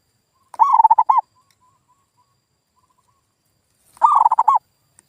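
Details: Zebra dove lure sound for coaxing non-singing local doves into answering. Two half-second bursts of fast, bubbling, pulsed cooing are separated by about three seconds, with a very faint soft coo in the gap.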